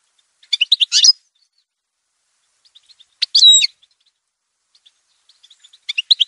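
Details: Sparse, bright notes from an Algerian goldfinch of the parva form: a twittering burst, then a buzzy note with a clear whistled tail, then a few soft tinkles, spaced over several seconds.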